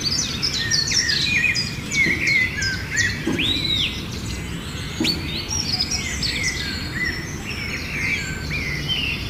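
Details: Dense chatter of myna calls, overlapping chirps, clicks and a looping whistled note, nearly continuous throughout against a low rumbling background.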